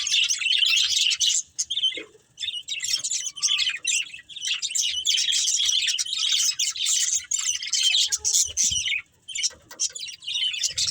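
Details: Breeding pair of budgerigars chirping nonstop: dense, high, scratchy twitters and warbles run almost continuously for eleven seconds, with two short pauses near two and nine seconds.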